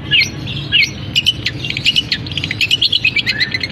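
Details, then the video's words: Long-tailed shrike, caged, singing a mimicked canary-style medley: a few slurred whistles, then hurried chattering and high twittering notes mixed with harsh squeaks. "Cendet Gacor Isian Kenari, gereja tarung, kapas tembak"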